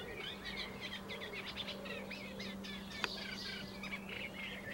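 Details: Eurasian reed warbler singing from a laurel bush, recorded 21 May 2018. The song is a continuous, rapid, chattering run of scratchy notes, many repeated two or three times before changing. A steady low hum runs underneath and there is one sharp click near the end.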